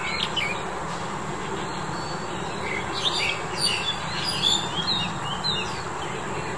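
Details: A red-whiskered bulbul (Pycnonotus jocosus), in February 2021, gives short, bright chirping calls in irregular bursts, loudest mid-clip, over a steady wash of low rumbling background noise.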